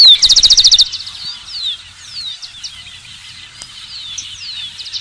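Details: A rufous-collared sparrow song ends at the start with a fast, loud, buzzy trill, followed by quieter high chirps and twitters from other birds.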